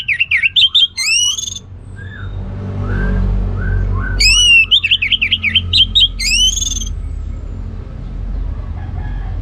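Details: Orange-headed thrush delivering ngeplong gacor song: rapid zigzagging whistled phrases with sharp upward slurs in two loud bouts, separated by soft low notes and a quieter gap with background noise.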